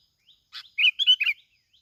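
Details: Plain-backed sparrow from Binh Thuan, Vietnam, kept as a lure: a soft lead-in note, then three or four loud, tumbling chirps run together in under a second.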